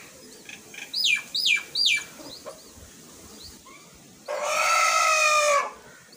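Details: Myna mother feeding her young chick after bringing more food: three loud, downward-sliding harsh calls in quick succession, then a long buzzy, grating rasp lasting over a second, with faint chirps behind.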